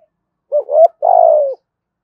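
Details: Spotted dove luring call: a short rising two-part coo followed by one long, buzzy, gently falling coo, clean with no other sounds.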